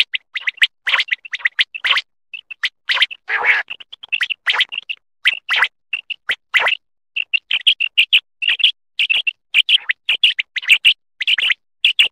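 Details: Common quail calling, recorded in a quail hunting and netting context in Pakistan: short, sharp, high whistled notes in quick irregular bursts, with a few clicky phrases mixed in and no other clear sounds.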